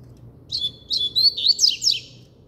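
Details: Double-collared seedeater song with firm, high whistled notes followed by rapid downward-slurred chirps, the phrase rising in energy toward its middle, with a faint low hum behind.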